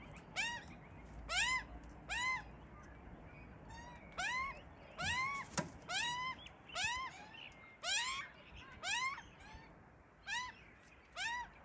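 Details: Australian magpie family raising chicks: clear, arched harmonic calls spaced roughly one per second, some in quick pairs, against a quiet background.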